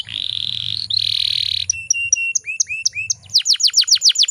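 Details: A female canary in breeding condition, used to provoke males into singing: a long buzzy trill, then clear rising whistled notes, ending in a rapid run of bright, sharply dropping chirps.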